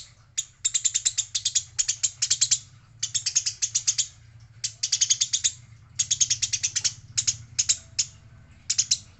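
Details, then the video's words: Female Eurasian tree sparrow in a fight, giving rapid, evenly spaced high chirps in repeated volleys over a steady low background hum. "Gereja gacor - gereja tarung - gereja betina"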